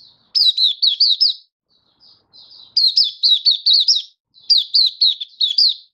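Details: Malaysian white-eye hobby bird singing happily in Singapore, stable warm sunny weather, 20 March 2023; clean, loud bursts of quick high chirps, each bout a run of four or five zigzag notes, broken by short silences.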